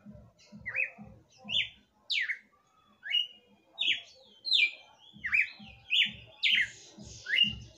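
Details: Red-cowled cardinal singing at night, near the end of the night, with bright, slurred whistles, some rising and some falling, about one note each second, over a soft low rhythmic thumping.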